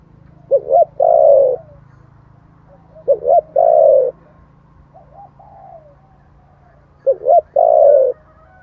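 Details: Spotted dove in wild-type voice, used to call in wild birds: phrases of two short rising notes followed by a longer, rolling, falling coo, repeated about every three seconds with faint softer coos between.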